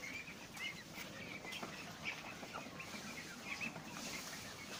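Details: A flock of 4-week-old egg-laying domestic ducklings, growing new feathers and with some voices turning to hoarse quacks, gives a steady stream of high, thin peeps and squeaky chirps around feeding time, with rustling and low background noise.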